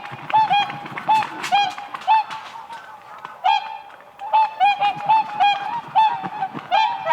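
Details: Group of whooper swans on a spring lake, dancing on ice; short bugling honks repeated in quick bursts, several birds overlapping, with a soft rustling, splashing background.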